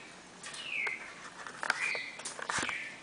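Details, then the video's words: Classic four-note Bagé song from a red-crested cardinal pair: bright whistled notes that glide downward, given in quick succession over faint background hiss and a few soft clicks. "Casal Cardeal 4 notas canto Bagé clássico"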